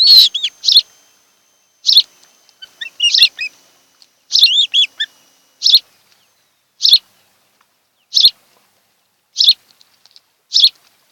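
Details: At an osprey pair's nest on Kent Island, Maryland, afternoon of 26 July 2018: clustered high chirps and some slurred, wavering notes early on, then settling into single sharp chirps about every second.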